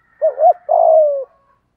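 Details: Spotted dove, 'giọng thổ' song used to provoke wild birds into calling; one phrase of two quick, wavering low notes followed by a long, steady, gently falling coo.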